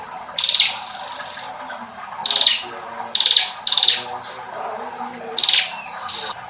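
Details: Bar-winged prinia giving sharp, high, downward-slurred notes, five short bursts spaced roughly one to one and a half seconds apart, with a faint hum beneath.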